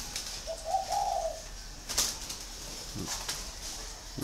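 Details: Caged male spotted dove, kept six years in a cage, large-bodied with a 'giọng thổ' voice, from Ba Vì, Vietnam: one soft, low, rolling coo phrase mid-clip, with light clicks and rustling afterward.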